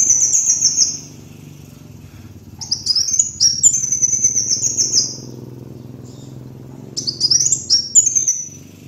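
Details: High-pitched twittering song of a kolibri wulung sunbird used to lure birds, three separate bursts of quick descending trills with silent spells between, and a soft low hum.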